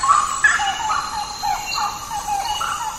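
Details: Grey-cowled wood rail (Aramides cajanea) in a botanical garden at Unesp, Botucatu, Brazil, answering playback with loud, hollow, mid-pitched notes repeated about three a second in an uneven series; thin high tones faintly behind.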